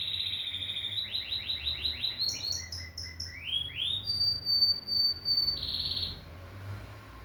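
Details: Canary song opening with a high trill, then a run of quick downward-swept notes and rising slides. A thin high whistle follows, and the song ends in a short rich trill before fading into quiet.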